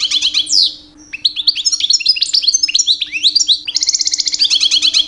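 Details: Two-year-old male European goldfinch, kept as a pet, singing loudly in the mating season to attract females: rich, fast twittering of bright chirps, trills and downslurred notes, a short pause after the first second, steady low hum behind.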